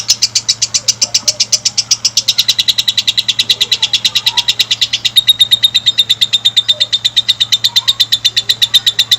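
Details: Lovebird making a long sound, a stimulation recording for other lovebirds: loud, fast, evenly pulsed high chirps for over nine seconds, turning slightly more tonal in the second half, over a low background hum.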